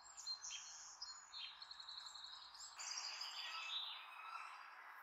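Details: Mother bald eagle near her nest in Redmond calling out to last season's offspring flying high overhead, an osprey and red-tailed hawk also circling; high thin whistled notes, then a quick run of stacked piping pulses over a steady background hiss.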